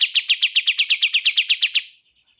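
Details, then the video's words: A single short phrase from a bar-winged prinia: about fourteen sharp, evenly spaced pulsed notes in under two seconds, ending in a faint fading buzz. "MASTERAN BURUNG KAPAS TEMBAK"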